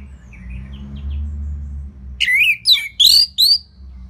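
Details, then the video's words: Orange-headed thrush, caged, from northern Bali, used as a tutor for other birds: faint soft notes, then a loud burst of four rich whistled, slurring phrases in the second half, low hum throughout. "Dipancing Dengan Kicauan ANIS MERAH Gacor Selow Ini"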